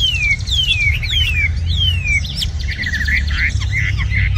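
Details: Tame red-whiskered bulbul, said to sing very well, gives several long descending whistles followed by rapid jumbled warbling notes, with a constant low-pitched background drone.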